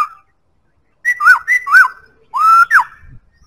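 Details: Black-throated laughingthrush giving clear melodic whistles: paired notes, each a high level tone followed by a curved dipping note, then a long slowly rising whistle ending in a sharp downslur.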